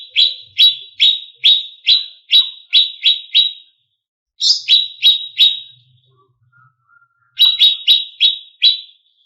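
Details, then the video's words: Greater green leafbird song meant to stir up contest birds: crisp, loud downslurred chips fired in quick runs of about eight, separated by short silences, with a faint low whistle in one gap. "Pancingan Cucak Cungkok Emosi ~ Masteran Burung Lomba"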